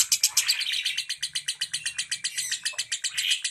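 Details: Rapid ngentik chatter from a lovebird, used to get mute lovebirds singing: dense, buzzy, high pulsed notes repeated several times a second, slightly uneven, with a faint low hum.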